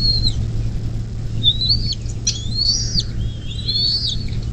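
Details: At a Bald eagle nest near South Lebanon, Ohio, USA, on 24 May 2024 at 10:12, a few separate high, thin, rising whistles and chirps are spaced with pauses, set against a constant low mechanical hum.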